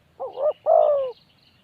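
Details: A single spotted dove phrase: a wavering, hollow coo runs straight into a longer, steady note that slides slightly downward, with faint background hiss.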